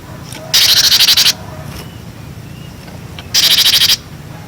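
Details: Cinereous tit recorded as a tutor for young birds, giving two short bursts of fast, rasping pulsed notes separated by about two seconds of quiet background hiss.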